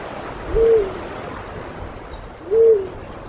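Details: Black-chinned fruit dove in Pingtung County, Taiwan, recorded 1 March 2016, uttering two deep, smooth hooting coos spaced about two seconds apart, each gently rising then falling. Faint high-pitched bird twitters are heard in the background.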